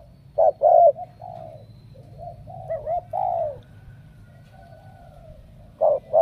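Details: Cooing spotted dove from Ca Mau, Vietnam, kept as a prized cooer. A pair of clipped hoots opens, softer drawn-out coos follow in the middle, and loud hoots return at the end, over a faint steady low hum.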